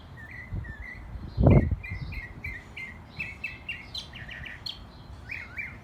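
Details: Bird singing outdoors in Texas: a varied series of short whistled notes and quick doubled phrases, with a brief thump early on and constant background noise.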